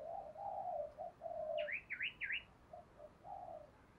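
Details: Spotted dove decoy calling to lure wild doves: faint, low, drawn-out coos over background hiss, with a burst of three sharp, dipping chirps from another bird in the middle.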